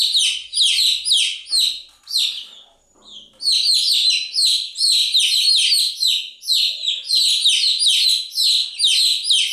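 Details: Chicks chirping continuously: bursts of high, downward-sliding peeps run together in rapid groups, with a short quiet gap near the three-second mark before the dense chirping resumes.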